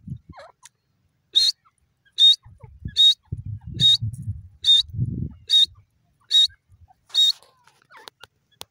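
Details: Wild grey francolin, locally called teetar, calling in a steady series of nine loud, shrill, high-pitched notes, one roughly every 0.8 seconds. Low rumbling handling noise sits underneath between the notes.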